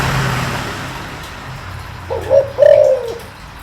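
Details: Deep-voiced spotted dove used to rouse a decoy bird: after a low rumble like passing traffic, a brief hollow note is followed by a drawn-out low coo that tails off downward.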